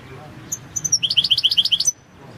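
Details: European goldfinch of the Balkan subspecies balcanica, entry 006/22 in the 2022 World Championship in goldfinch song: a few thin high notes, then a quick even series of about eight bright, clear pips over a quiet background.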